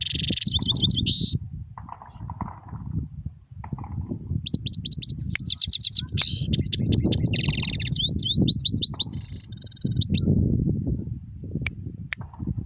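European goldfinch singing a bright, tinkling jumble of fast twitters and liquid trills in bursts, over a steady low rumble of background noise.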